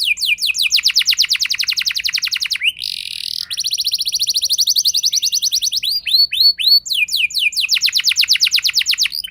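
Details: Rolling (ngeroll) canary song used to lure rival canaries into song: long rapid trills, broken by a brief harsh buzzy burst, then more trills at shifting pitches and a few upswept notes.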